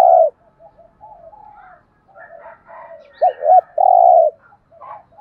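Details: Decoy spotted dove calling to attract others: the tail of one coo, then a full phrase of two quick notes and a long steady coo, with faint chattering and soft warbles in the background.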